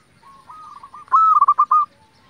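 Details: Local zebra dove song used to provoke other zebra doves; after soft cooing, one loud phrase: a level held coo that breaks into five or six quick, bouncing staccato notes.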